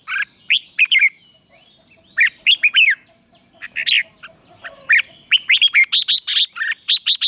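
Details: Red-whiskered bulbul during morning song training, singing in the 'chè' style: bursts of sharp, slurred whistles and clipped notes, ending in a fast run of evenly repeated loud chirps.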